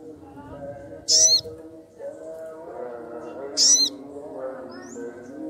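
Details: Sogon, agitated and calling for a rival: two shrill, high squealing bursts about two and a half seconds apart, over a constant low humming and murmuring background.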